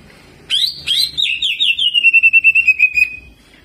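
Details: Greater green leafbird (cucak ijo) singing energetically in jamtrok style with ciblek mimicry and rolling: a sharp high note opens, then a fast descending run of buzzy, clipped notes, steady at a high pitch and fading after about three seconds.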